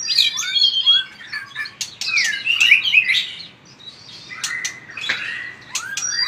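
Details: Fiery-voiced white-rumped shama singing hard while flicking its tail: loud, varied whistled phrases with rapid trills and slurred down-sweeps, interspersed with sharp clicks and brief pauses.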